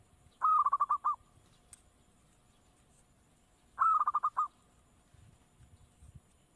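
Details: Perkutut, the local zebra dove, singing a lure phrase to provoke answering calls: two short, rapid bursts of bubbling coos about three seconds apart, each slightly descending, over a quiet hiss and faint rumble.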